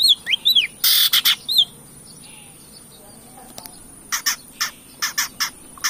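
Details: Long-tailed shrike song used to provoke singing: a few rising whistled notes and a loud harsh burst, a pause, then a run of short rasping notes repeated irregularly.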